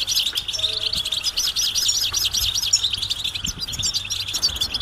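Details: Group twittering of European goldfinches, mating calls intended to stimulate males to break silence and sing; quick rhythmic series of rising, tinkling notes packed closely together, with a faint low hum throughout.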